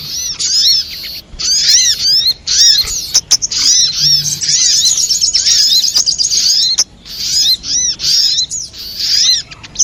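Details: Little spiderhunter, a recording used as a lure sound for trapping birds: dense, high, rapid chattering of sharp arched and rising notes, delivered in bursts separated by brief pauses.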